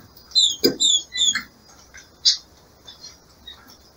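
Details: A breeding-season female green-winged saltator in captivity gives several high, thin, falling chirps in quick succession, meant to stimulate the male, followed by a sharp tap and faint softer notes.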